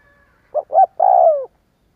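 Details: One spotted dove phrase recorded for luring doves to coo: a brief low hoot, a swelling rounded note, and a long vibrating coo that drops gently at the end. The background is quiet.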